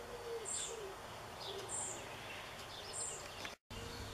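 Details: Fledgling European pied flycatcher calling for a parent in a backyard, June 2013: three thin high-pitched calls about a second apart over a dove's low cooing, with a brief dropout near the end.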